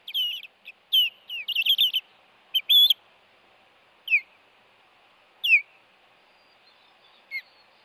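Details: Ospreys defending their Hellgate nest from an intruder on 26 April 2018, male bringing a fish to the female: loud, clustered high whistled chirps and squealing notes early on, then scattered single downslurred whistles.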